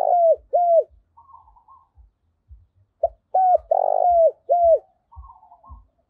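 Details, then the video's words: Decoy spotted dove (cu gáy) cooing to rouse rival wild-caught doves. Loud, mid-pitched coos fall slightly at their ends and come in pairs and runs, with a longer rough coo in the middle. Soft low knocks repeat throughout. "tiếng cu mồi thúc bổi - và gáy gọi chuẩn hay dùng kích bổi tập bổi nổi hiệu quả nhất"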